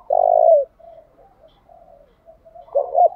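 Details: Spotted dove used as a decoy to draw in wild doves: a loud sustained throaty coo opens, then soft faint murmuring coos, then a pair of short pulsing coos returning near the end, quiet background.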